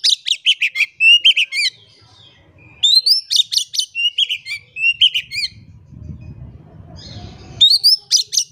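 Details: Vigorous Oriental magpie-robin song played to coax silent birds into singing: repeated rapid phrases of rising whistles and harsh chattering notes, a pause with low rumbling noise, then more bright upslurs.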